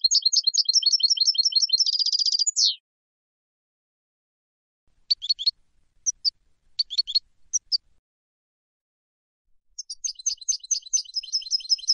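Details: Goldfinch from Istanbul, Turkey, singing: a quick tinkling twitter closing in a rolled trill and a falling sweep, then a few scattered chirps after a pause, and a fresh burst of twittering near the end.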